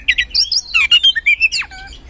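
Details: Kacer, the oriental magpie-robin, in a short loud burst of lure song: rich warbled whistles and slurred notes tumbling quickly, ending with a falling whistle and softer trailing notes.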